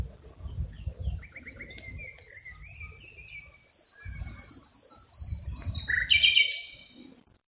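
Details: Common nightingale (Luscinia megarhynchos) singing rich, varied phrases: a long sustained high whistle, quick repeated notes and a final burst of fast rattling trills, over low rumbling background noise.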